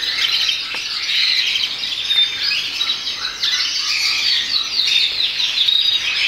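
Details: Caged agate opal red mosaic canary delivering a long run of high, rapid twitters and rolling trills, broken by a few clearer whistled notes and short buzzy passages, nonstop for six seconds.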